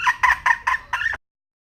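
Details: Hen of the red junglefowl uttering five quick, nasal, two-toned clucks in about one second, the last one stretched and wavering.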